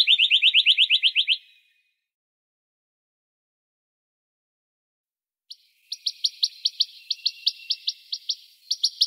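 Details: Western rock nuthatch in March 2020, İzmir, Türkiye: a fast loud trill of about ten notes in just over a second, a pause, then a long rapid series of sharp, high piping notes.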